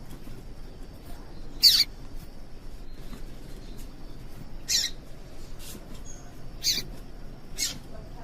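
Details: A female yellow-bellied seedeater gives a call meant to excite males to sing. Four brief, high, clipped chips come roughly a second or two apart against a quiet hissing background.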